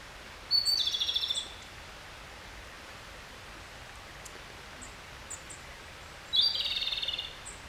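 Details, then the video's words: Two quiet subsong (guzeri) phrases from a Japanese robin, about six seconds apart. Each starts with a short high note and runs into a rapid rattling trill of roughly a dozen pulses. Faint high ticks are heard in the gap between phrases. "コマドリのさえずり（ぐぜり）Japanese robin Erithacus akahige song"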